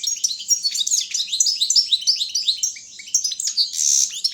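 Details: Caged Carduelis carduelis balcanica goldfinch in a Serbian internet song contest, pouring out a steady stream of sharp chirps and descending twitters, interrupted by a short harsh buzzy note close to the finish.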